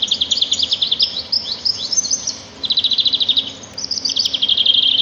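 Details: Sparrows singing in nature: bright, rapid trilled phrases of quick high chirps, with short pauses between bursts. A faint steady low hum sits underneath.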